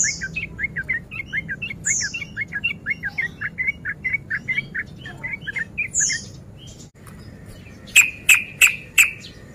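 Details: Sooty-headed bulbul male in breeding condition, lure song to provoke fighting: soft, fast stream of short chattering notes with high thin whistles mixed in, ending with four loud, sharp, evenly spaced clicks.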